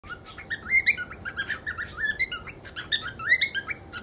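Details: Male cockatiel whistling: a fast run of bright chirpy whistles that rise and break sharply in pitch, some with high overtones, delivered in bursts with little pause, over a faint room hum.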